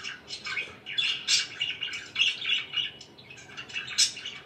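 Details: Budgerigars at home produce a quick, jumbled twitter of many short chirps, scratchy clicks and squeaky whistles, packed closely together with small dips in between.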